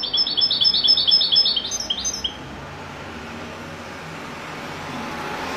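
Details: Goldfinch, European, singing in the widani style: about two seconds of rapid liquid twitters and trilled phrases, then only steady low background hiss for the remaining seconds.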